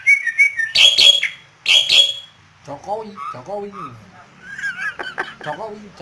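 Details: Kept Asian pied starling from Yogyakarta singing eagerly as a hand teases it: two loud, grating bursts, then throaty down-slurred notes followed by high whistled warbles and clicks.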